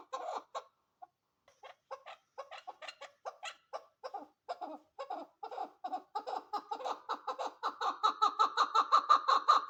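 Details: Female chukar partridge calling: a rapid series of short, harsh clucking chuk notes, at first sparse and irregular, then quickening and growing louder into a steady, insistent chatter with a brighter ringing tone near the end.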